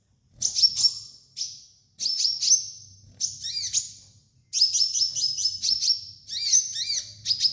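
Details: High sunbird song for use as a training master: sharp ringing chips and quick down-slurred notes in irregular bursts, building into a longer twittering run, a low faint hum underneath.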